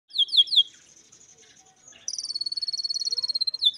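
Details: Canary song for training: a few quick descending slurred notes, a soft warbling pause, then a fast rolling trill of rapid high pulses holding steady for over a second and a half.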